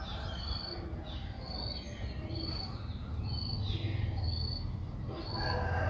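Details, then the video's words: Six-day-old streak-eared bulbul nestling begging in Ubon Ratchathani, Thailand, 8 April 2023: a regular series of short, high, piercing notes, roughly six in six seconds, with faint chirps and low hum behind. "นกปรอดสวน อายุ 6 วัน : Streak-eared Bulbul (Pycnonotus blanfordi)"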